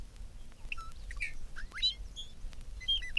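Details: In spring, several Bobolinks chase one another over an open meadow of timothy and clover. They give bubbling, banjo-like songs, quick metallic notes that speed up and skip between low and high over a low rumble, each seeming to repeat its name.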